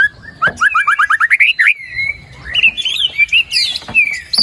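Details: White-rumped shama singing, used to coax a silent bird into song: a fast series of about ten rising whistled notes, followed by a long flowing run of slurred whistles and high squeaks.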